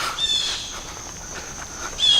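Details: Blue jays alarm calling at a person walking a woodland trail, alerting other birds and animals: two loud harsh scolding notes about two seconds apart over steady forest background hiss.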